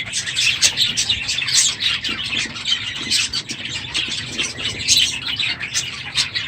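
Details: Budgerigars in a crowded aviary, noisy in the morning at the end of the breeding season; dense overlapping chirps, squawks and warbling chatter from many birds at once, continuous and high-pitched throughout.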